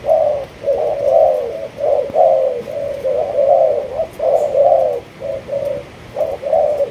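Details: Malaysian-line spotted dove giving a long, steady cooing sequence: mellow, low notes strung closely together, alternating short coos with longer slurred ones, forming a continuous rhythmic phrase with only short gaps.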